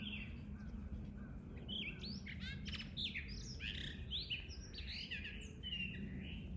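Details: Blue rock thrush calls in an exchange: bright, varied whistles and chirps come in quick clusters, some notes sweeping up and over, others short and clicky, continuing steadily above a constant low rumble.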